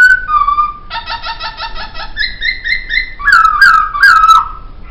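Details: Caged laughingthrush, singing for song training, gives a falling whistle and then rapid evenly spaced nasal harmonic pulses that step up in pitch, followed by loud, rolling warbled whistles.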